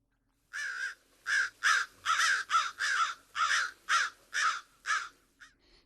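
An American crow gives a run of about ten harsh, hoarse caws, roughly two each second, fading to a couple of softer notes at the end.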